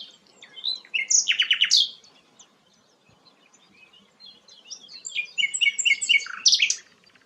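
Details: Song of the rare sikatan londo: a quick run of loud repeated notes and sweeping whistles, a quiet gap, then a second jumbled phrase of twittering and rising slurs.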